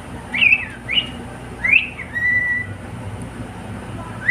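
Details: Male pet cockatiel singing with a companion: bright rising and falling whistles in quick succession, then a sustained level whistle, with a quiet steady hum behind.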